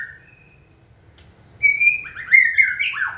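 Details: White-rumped shama, in training and prompted to sing: after a quiet start with soft whistles, a loud sustained whistle breaks into fast, jumbled, sliding notes.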